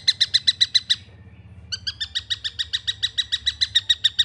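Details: Juvenile long-tailed shrike calling: rapid, harsh chattering notes at about four per second, a short pause, then a longer even series of the same grating notes.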